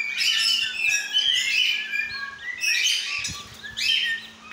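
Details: Pet lorikeet parrot, described as a talking bird, giving bursts of shrill, high-pitched chattering chirps and squeaky trills, clustered into phrases with short pauses between them; a faint steady low hum runs underneath.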